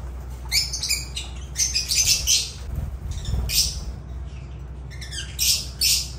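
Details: Agapornis lovebirds giving shrill, rasping chirps and squawks in short separated bursts, high and buzzy, over a faint low hum.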